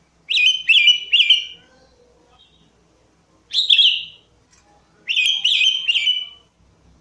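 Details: Sooty-headed bulbul lure song: bursts of three or four bright, bubbly whistled notes, a short run, a pause, another single phrase and then a run of three, clean and close.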